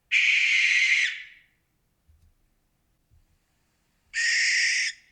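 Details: Nocturnal barn owl of Florida giving a one-second hoarse, hissing screech, then a pause with faint low thumps, then a second shorter rasping screech.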